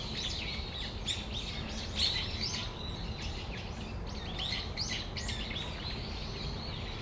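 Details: Brown-eared bulbuls chattering in Tamagawadai Park, December afternoon. Dense, overlapping high screechy notes with short downward slurs run almost continuously, with constant low-pitched ambient noise beneath.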